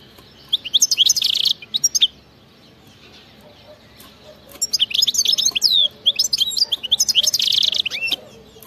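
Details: Goldfinch giving wild-type 'khlowi' song with 'betbta' trilling, meant to make a non-singing goldfinch start singing: two bursts of bright, twittering, high notes separated by a near-silent gap of about two seconds.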